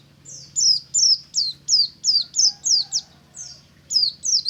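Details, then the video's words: Ngalas song from a pleci buxtomi white-eye at daybreak, used as a lure so other white-eyes join in: a fast, almost continuous series of high, slurred descending chirps, nearly three per second, with steady low hum. "BURUNG PLECI NGALAS DI PAGI HARI"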